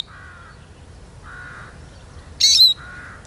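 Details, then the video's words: A single loud, buzzy Eurasian siskin note with a slurred whistled ending, among three softer, lower drawn-out notes from another caller. "Как поет чиж"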